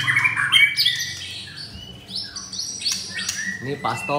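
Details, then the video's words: Caged Oriental magpie-robin, one of four kept at a bird kiosk in Kemayoran, Jakarta, Indonesia: quick varied run of clear whistles and squeaky chirps, some sliding or held high, with a man talking briefly at the start and end. "4 Murai Batu"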